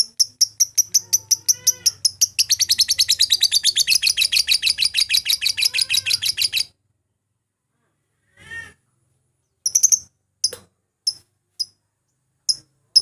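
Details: Lovebird calling to provoke rivals and get birds singing, for use morning, afternoon and night: a fast run of sharp high chirps accelerating into a rapid trill for six seconds, then silence and a few scattered chirps.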